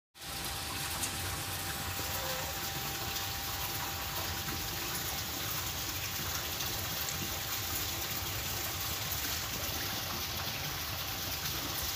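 Steady gushing water, like a running tap, fills the whole recording with no animal voice standing out.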